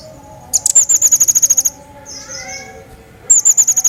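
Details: Crecet jawa singing a lively song used to train other songbirds: bursts of rapid, very high, sharp repeated notes in fast even series, with a softer buzzy rising phrase in between and a low steady background hum.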